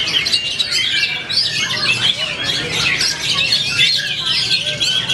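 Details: An Oriental magpie-robin at a songbird contest, the winning champion bird, pours out a dense, nonstop run of bright chirps, whistles and scratchy notes, high-pitched and varied, with no pauses.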